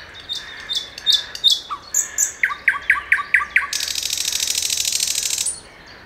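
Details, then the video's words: A common nightingale sings a rich phrase: high whistled swoops, then six quick descending notes, ending in a fast dry rattle. "Соловей обыкновенный пение"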